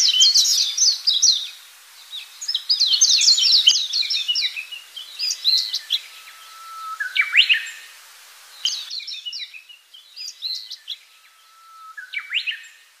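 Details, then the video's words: Afternoon chorus of baya weavers: bursts of sharp, high, scratchy chirps and upswept notes in clusters separated by short pauses, over a quiet rural background. "বাবুই পাখির খোজে"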